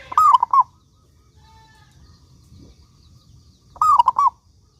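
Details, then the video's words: Local zebra dove in lively song, meant to prompt other doves to sing. A phrase of a long coo and quick trailing notes opens the clip and repeats nearly four seconds later over quiet background. "Perkutut Lokal Gacor Suara Paling Ampuh Untuk Pancingan Burung Perkutut Agar Bunyi gacor dor"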